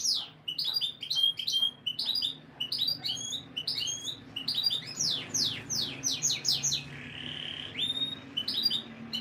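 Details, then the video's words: Canary breeding-conditioning song meant to boost a female's mating instincts: rapid bursts of sharp rising and falling chirps and whistles in quick varied phrases, ending with a brief buzzy note. "Ultimate Canary Breeding Conditioning Audio — Boost Your Female’s Mating Instincts Fast"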